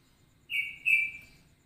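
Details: Straw-headed bulbul ropelan song variation resembling cucak rowo and cucak jowo: two clear, sustained whistles, the second longer and slowly fading, with a soft low hum underneath.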